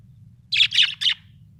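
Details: Happy pet budgerigar chirping: three loud, bright, high chirps in quick succession within about half a second, set against a quiet low background hum.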